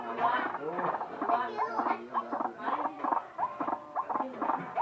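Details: White-breasted waterhen calling strangely: a series of rough, nasal croaks mixed with short upward squeaks, repeated in uneven bursts every few tenths of a second.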